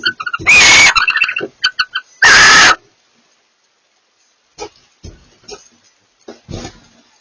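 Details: A pair of barn owls communicating: two loud, harsh, hissing screeches about a second and a half apart, with softer clicking and chattering between, then faint scattered noises.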